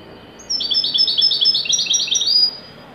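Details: Moroccan goldfinch, wedani style, giving a joyful peak performance. About two seconds of dense, chattering, high-pitched twitters and trills follow a single thin opening whistle.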